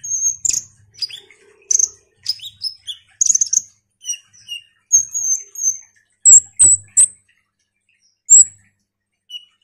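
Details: Ruby-cheeked sunbird in lively song: thin, high whistled notes and sharp chips in quick irregular bursts, some short trilled phrases, with brief pauses between groups.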